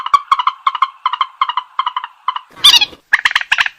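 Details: Purple swamphen lure call: evenly spaced double clucks with a nasal, harmonic ring, then a sudden loud, hoarse squawk and a few sharp notes.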